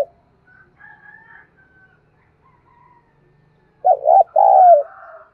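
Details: Spotted dove lure song used to provoke wild doves to respond: after faint distant sounds, a loud burst of two quick throaty coos and a longer drawn-out coo ends the phrase.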